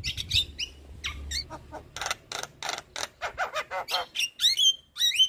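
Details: White-eyed Javan myna singing as a prompt for reluctant birds: scattered squeaky whistles, then a steady series of rasping bursts about twice a second, ending with sharp high whistles.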